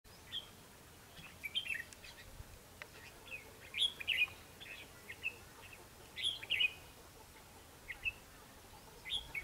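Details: Red-whiskered bulbuls in a trapping fight, where a lure bird draws a wild one, recorded 21 December 2015: short whistled, warbling phrases repeated every couple of seconds over a quiet background.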